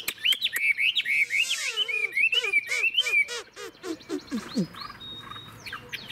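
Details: Chinese hwamei, an adult wild-caught bird with a fig-leaf tail, praised for its long, sweet singing. Looping whistled notes rise and fall rapidly, then a dense run of varied chirps and sweeping slurs follows.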